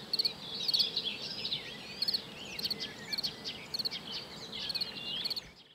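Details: Eurasian Treecreeper at Zbiornik Joachimów Mogiły, Poland, on 27 May 2017, giving very high, thin, sibilant notes in tiny clusters, repeated about every half-second to second, with other birds twittering in the background.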